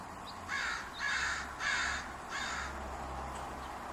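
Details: Crows near a large walnut tree in Portland on a spring evening; four loud, harsh caws repeat at roughly even intervals, each rough and noisy, over a low steady hum.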